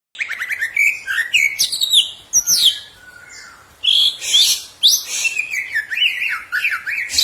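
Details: Green leafbird, kept caged, singing for training other caged birds: fast varied chirps, whistled slurs and rising and falling notes in dense bursts with brief pauses.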